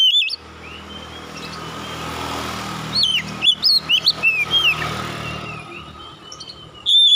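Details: Oriental magpie-robin that took first place in a singing competition: a short burst of whistled, upslurred and looping notes near the middle, with a steady engine and traffic hum throughout and a brief whistle at the start and end.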